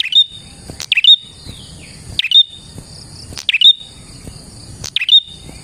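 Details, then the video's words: Actively singing prinia, played as a lure to draw in wild prinias: four clusters of loud, piercing chirps roughly every one and a half seconds against a constant high-pitched drone. "KICAU BURUNG PRENJAK GACOR ini Manjur untuk PIKAT PRENJAK dan PANCINGAN PRENJAK KLAWU"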